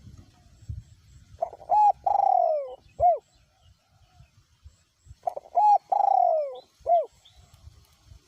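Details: Decoy spotted dove with a small-to-medium voice calling in strong wind; two coo phrases about four seconds apart, each of quick short notes, a drawn-out descending coo and a closing short hoot, with faint low rumbling between.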